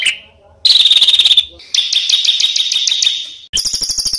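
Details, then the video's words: Song from a master recording for training contest songbirds: a faint opening note, a ringing trill, a rapid high chatter on one pitch, then a sharp burst of repeated notes. "SUARA BURUNG MASTERAN BURUNG LOMBA"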